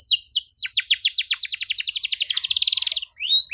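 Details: Young-canary training song from a canary: a few drawn-out falling whistles, then an accelerating trill of rapid repeated notes that ends in a fast buzzy rattle before a brief pause and a rising note.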